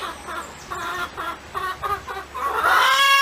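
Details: Chicken clucking in a quick series of short, nasal clucks, about two per second, that run into a louder, rising, drawn-out squawk at the end.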